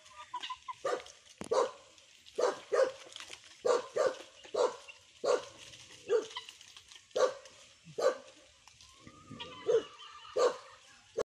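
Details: Helmeted guineafowl being fed give harsh, rasping, bark-like calls, repeated in quick irregular bursts.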